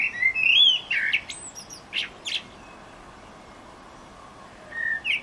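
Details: Eurasian blackbird in song, Utrecht, 9 June 2014. A short mellow whistled phrase ends in several high, squeaky notes. A quiet gap follows, then a soft new phrase begins.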